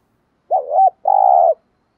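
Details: Decoy spotted dove coo meant to draw wild birds: a wavering note that rises and falls, a brief pause, then a long, level, buzzy coo. The background is quiet.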